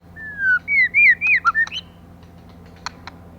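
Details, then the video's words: Female white-rumped shama whose song is used to stimulate males: a long falling whistle, then a quick run of clear, warbled whistled notes that turn up and down, ending in a few sharp clicks. "choè lửa mái kích trống"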